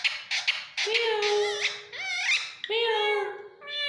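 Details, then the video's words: Pet Indian ringneck parrot imitating human speech in Urdu/Hindi: quick clicks, then high, buzzy word-like syllables with sliding pitch, strung into short phrases in a small room. "amazing talking parrot speaking in urdu\hindi"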